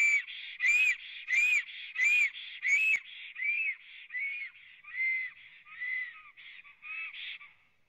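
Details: Black storks on a nest in Latvia, recorded by a live camera on 24 April 2017 at 11:55: loud, arched whistles with sharp clicks, slowly fading into softer, lower, downslurred whistles.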